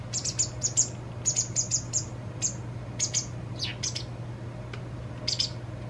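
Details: Repeated high, thin chirps, often in pairs, from a White wagtail fledgling being fed by its parent two days before going off alone. Some notes slur downward near the end, over a persistent low hum.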